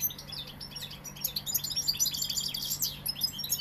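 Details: European goldfinch, Sevillian, singing a dense, rapid run of high tinkling twitters and chirps with no break, a constant low hum underneath.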